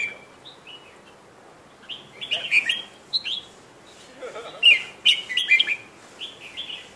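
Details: Sooty-headed bulbul chirping: short fluty whistled phrases, some sliding up or down, grouped into bursts with brief pauses, over steady low noise.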